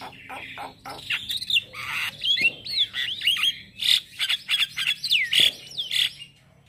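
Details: Male Javan myna's morning song, used as a lure and tutor for starlings: a busy stream of looping, swooping whistles with harsh chatter, steady and loud throughout.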